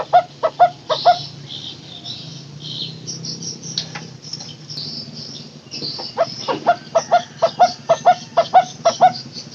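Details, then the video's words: Barbet (takur) making its "teguk teguk" call, a long recording used to lure barbets that have stopped calling: bursts of hollow, mid-pitched notes repeated about twice a second, over higher chirps from other birds and background hum. "Suara asli burung takur teguk teguk durasi panjang buat pancingan burung takur macet bunyi"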